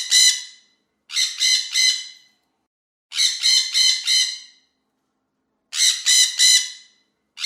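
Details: Parrots in the morning giving loud, raspy squawk bursts, mostly three or four fast harsh notes each, about five bursts in quick series with brief quiet gaps and no other sounds.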